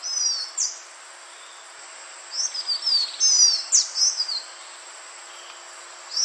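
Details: Green iora, recorded for use as a bird lure: high, thin whistled notes in quick runs, each sliding downward, grouped in bursts separated by pauses, over a steady high-pitched hiss.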